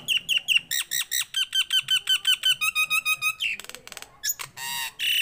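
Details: Nias hill myna, tame and singing loudly, giving a rapid series of about twenty-five evenly repeated whistled chirps, then squeaky notes and harsh rasping bursts.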